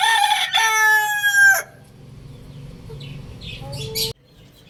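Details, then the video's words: A loud crow from a Lohmann Brown rooster, about one and a half seconds of rich, ringing tone that ends sharply, then steady low hum and a brief short call just before the end. "Adorable Rooster Crowing Sounds | Amazing Rooster Crowing Loudly"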